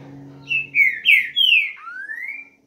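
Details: Rufous-bellied thrush singing in the boiadeiro style: a loud run of whistled notes sliding downward in steps, ending in a long upward-sweeping whistle, over a low steady hum.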